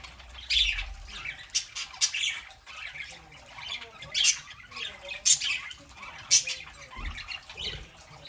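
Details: Pet parakeets chattering on a Saturday morning, among them a three-month-old bird: loud harsh squawks and piercing chirps every second or so, with a low thump or two underneath.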